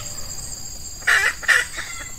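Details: Red junglefowl: F1 hen decoy used to lure an old wild male at dawn, hot Ramadan season with males in breeding condition; after a second of insect hum, two quick loud clucks half a second apart.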